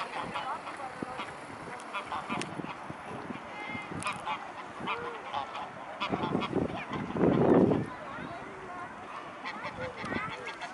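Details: Mute swans at Blaues Wunder, 13 February 2016, 16:25: several give nasal, honking calls overlapping in a busy chorus, swelling to a louder cluster midway, over a steady background murmur.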